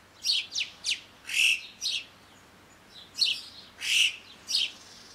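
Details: Yellow-billed chough calling in the mountains of the French Alps: sharp, high rippling whistles and short trilled chirps, about eight calls spaced irregularly over five seconds against a quiet background.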